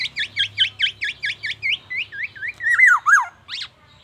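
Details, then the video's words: Black-naped oriole in full song, mimicking oriental magpie-robin and an ambulance siren: quick run of repeated chevron-shaped whistles, then slurred descending and rising whistled notes and a few harsh bursts, with faint low hum beneath. "KEPODANG EMAS TELER BONGKAR ISIAN MURAI BATU DAN SIRENE AMBULANCE"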